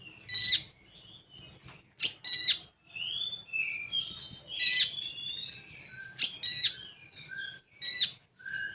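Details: Common iora with full tembakan singing: a lively series of short staccato bursts and brief whistled slurs, separated by short silences and varying in pitch, over a quiet background.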